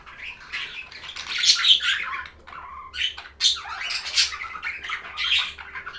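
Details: Budgerigar chirps and chatter: scratchy high twittering phrases with sharp squeaks, softer gaps between bursts, and a faint steady hum running underneath.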